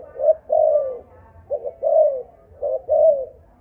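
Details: Spotted dove of the Malaysian line, singing in the 'âm thổ' style: three low mellow phrases, each a short double note followed by a longer falling coo, repeated about once a second, with faint low background hum.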